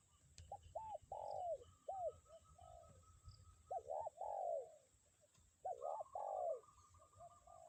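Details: Spotted dove lure bird calling in strong wind, three cooing phrases each of quick double coos ending in a long falling coo, steady low wind rumble and a faint high whistle in the background.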